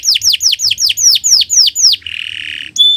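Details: Canary song for training other birds (masteran): about nine fast descending whistled notes, then a buzzy trill and a sharp high note.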